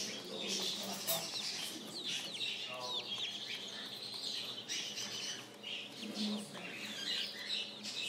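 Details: Spring chicks peeping in a busy chorus, many short high chirps overlapping with a few low clucks and murmuring voices underneath.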